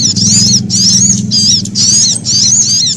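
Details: A sunbird's fearful alarm calling, combined with prinia calls: shrill, twisting squeaks in tight bursts, roughly two each second, over a continuous deep droning background.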